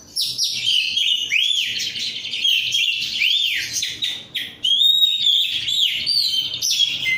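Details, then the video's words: Oriental magpie-robin ('rudal korea' kacer, untrained) singing steadily: arched whistles rising and falling, dense chattering warbles and high sweeping notes, with a short pause midway. "rudal korea kacer gacor"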